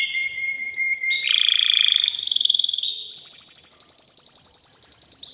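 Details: Male canary singing to stimulate a female to mate: a steady whistled note, then rapid buzzy trills stepping upward in pitch, ending in fast repeated high rolling phrases.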